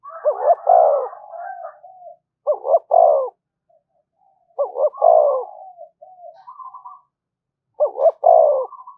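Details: Spotted dove used as a decoy, calling on and on to incite fighting: four phrases of deep, stuttering coos, each ending in a loud falling note, with faint trailing coos between them.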